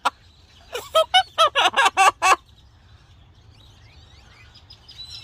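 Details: Pet parrot singing to wild birds: a quick series of about eight loud, harsh, rising squawk-like notes over two seconds, then near silence with faint distant birds.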